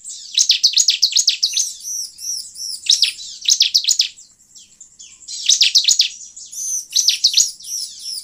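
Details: Bar-winged prinia song played as a lure for wild birds: repeated quick volleys of piercing high chirps, each volley lasting one to two seconds, with faint arched whistles and short silent breaks between.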